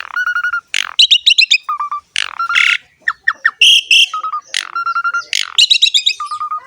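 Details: Asian pied starling in full song, a varied medley of steady whistled notes, rapid harsh chattering bursts and rising sweeps, phrases separated by brief pauses, with no other sounds.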